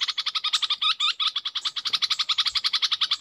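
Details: Caged Red-whiskered bulbul used as a decoy, delivering a dense, fast stream of chirps, nearly three per second per phrase, with some looping double notes. Light rustling is heard in the background.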